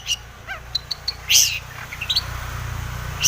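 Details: Long-tailed shrike song, played to provoke other shrikes into singing. Scattered high chirps and short clicks are mixed with a brief descending stack of notes and a loud harsh burst near the middle. A low hum runs underneath.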